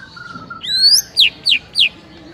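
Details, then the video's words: Shama tutor song recorded in the morning: a soft low whistle and sweeping high slurs, followed by three sharp descending high notes about a quarter second apart over faint background hiss. "DENGAR MASTERAN MURAI PAGI HARI INI"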